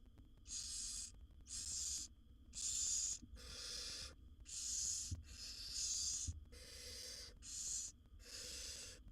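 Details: Hoarse rasping hisses repeated about once a second, nine bursts, some overlapping as several wild barn owl nestlings beg together while the mother feeds her seven young in a nest box; soft thuds and a low hum.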